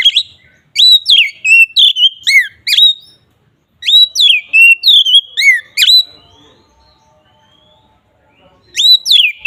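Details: Lure song of an Oriental magpie-robin in the 'ngeplong' style: bursts of rapid, ringing whistles, each snapping upward then falling, repeated about three per second, a brief pause, a second burst, silence, then a third burst.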